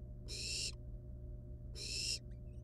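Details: Two drawn-out, noisy hissing screeches from wild barn owl nestlings with live prey at their nest, roughly 1.5 seconds apart, ending with tiny high squeaks; low hum in the background.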